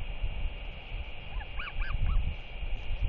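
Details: Royal albatross chick, 121 days old, 21 May 2023, excitedly wheeing and begging at a neighbouring adult on its nest: three or four short, honking, wavering calls in quick succession over strong, steady wind rumble.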